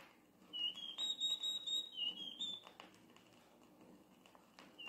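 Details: Campo flicker alarm, described as announcing the movement of a numerous tribe: a fainter series of high, pure whistled notes, some rising at the start, over soft background rustle.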